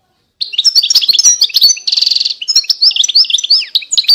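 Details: Continuous goldfinch song from 2020, rapid jingling twitters and clear rising and falling whistles, with a harsh nasal buzz in the middle, the phrase running without a break.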